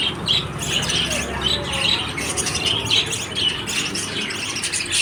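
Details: Lovebirds giving harsh, scratchy squawks and chattering calls in quick bursts, fairly loud and continuous with brief gaps, over a low background hum.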